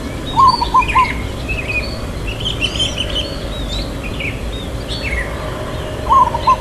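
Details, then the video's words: Local zebra dove singing its long "kuk" song in the rhythm called irama lelah: two short phrases of low, ringing coos, the first at the start and another near the end, with other small birds chirping faintly higher up. "Perkutut Lokal Suara KUK Panjang IRAMA LELAH"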